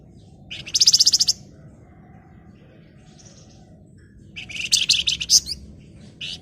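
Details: Gacor flamboyan with dense ngebren rattles and nyerecet: a half-second rapid buzzing trill, a quiet gap of three seconds with a faint note, then a longer, louder burst of rattling buzzy pulses.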